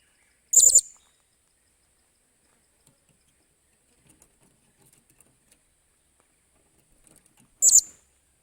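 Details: Blue-crowned hanging parrot being taught to work as a decoy, recorded 28 July 2021: a sharp, thin, high squeak, a long near-silent gap with faint tapping, then a second matching squeak seven seconds later.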